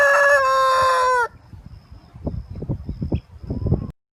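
A rooster's loud, harsh crow ends in a sustained, slightly falling final note, followed by soft low clucks and rustling.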